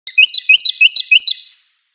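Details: European goldfinch song: rapid high twittering chirps and trills, about a dozen bright notes in one and a half seconds, then quiet.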